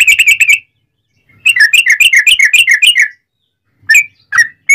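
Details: Loud, unbroken song of a sooty-headed bulbul with straw-headed bulbul-like phrases, meant to set other bulbuls singing. A short quick burst, a pause, then a rollicking run of up-and-down notes, followed by a few separate whistles.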